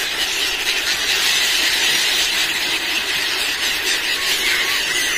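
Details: Many seagulls on the beach of Somnath in Gujarat, screaming while pilgrims feed them junk food; a dense, continuous wall of shrill, overlapping squeals fills the whole stretch with no pause.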